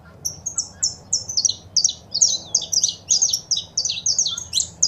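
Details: Saffron finch female calls and male song, meant to make a kept bird start singing: an unbroken stream of high, sharp chirps and slurred notes, quick and uneven, with a faint low hum underneath.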